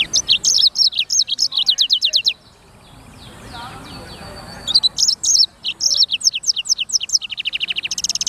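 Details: Black-throated canary, also called sanger, in repeated song bursts: rapid chains of high, falling, slurred notes, a two-second pause with faint background chirping, then more varied twitters ending in a fast, even buzzy trill.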